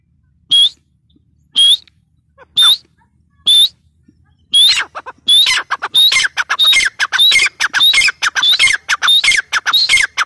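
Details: Female francolin (teetar) calling: sharp, loud, high squawking notes, first spaced about one per second, then speeding into a rapid run of repeated harsh notes.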